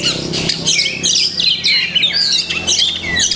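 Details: Kacer song full of masteran imitations: rapid squeaky notes and bright whistled slurs run together in a steady, unbroken sequence over a low hum.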